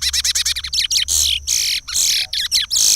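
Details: Regional Pará song of a Chestnut-bellied seed finch, used to teach chicks: a rapid string of short repeated notes leading into loud, harsh, buzzy drawn-out phrases.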